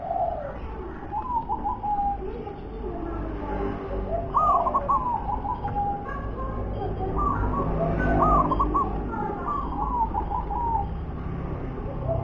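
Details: Local zebra dove singing the unique wer-ke-te-pek style: several mellow, bubbling cooing phrases with rolling trills, repeated through the recording, over a steady low rumble of background noise.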